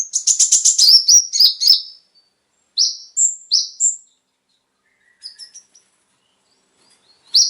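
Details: Konin, also called kolibri ninja, singing to stimulate caged birds: a dense burst of fast, very high twittering notes, then a few separated sharp chirps and thin whistles, a faint short phrase, and long silent gaps.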